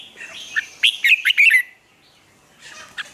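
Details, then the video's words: Red-whiskered bulbul in morning song gives one fluid phrase of several rapid, slurred whistles rising and falling, followed by a pause and a few soft notes. "Luyện chào mào hót sáng, hót hay"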